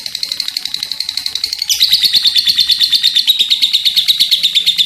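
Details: Lovebird delivering its long ngekek chattering: rapid high pulses, moderately loud at first, then jumping louder and continuing as a dense, piercing rattle.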